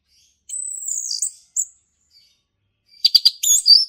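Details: Male orange-headed thrush singing in the forest in the ngeplong style: a long high thin whistle, a short note, a pause, then a burst of quick sharp chirps and trills.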